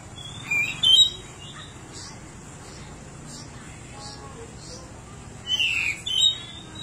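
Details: Pied bushchat, endemic Nusa Tenggara form, a bird said to be highly vocal with a mimicry-filled song, gives a pair of short bright whistled bursts, falls silent amid low background murmur, then repeats a similar burst pair near the end.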